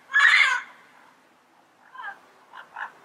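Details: One loud, hoarse squawk from a wild yellow-headed parrot, followed after a pause by several fainter, softer croaking notes.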